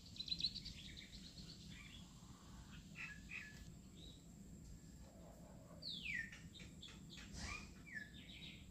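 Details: Plaintive cuckoo (Cacomantis merulinus) recorded in Assam, India, giving high whistled notes, including a clear descending slurred whistle, among other bird chirps and a steady low background rumble.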